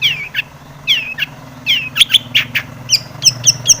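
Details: Long-tailed shrike singing with many fill phrases as a lure to provoke singing: slurred downward chirps in pairs, then a series of thin high clipped notes, over a steady low hum.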